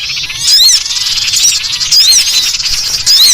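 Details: Collared kingfisher giving harsh 'ngekrek' alarm chatter when threatened, used as a bird-luring recording: loud, rasping, broadband notes with rising-falling strokes, repeated in short bursts about every half second.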